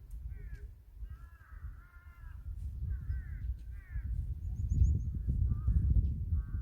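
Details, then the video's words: Birds calling in the mountains 700 m above sea level at Dongmuji village, Jeongseon-eup, Gangwon-do, South Korea: repeated short harsh harmonic calls in a loose series, one brief high thin note, over steady low rumbling background noise. "아름다운 새소리 It's 700 above sea level. the beautiful sound of birds"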